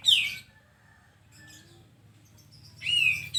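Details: A single loud falling note from a sooty-headed bulbul opens, followed by a quiet gap with faint hum, then a second strong curved descending note near the end.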